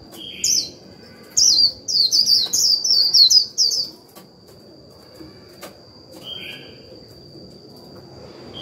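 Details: Japanese white-eye used as a caged lure, giving 'líu' song to provoke wild birds into reply; a quick string of sharp, high twittering notes sliding downward, then a pause with a few softer chirps.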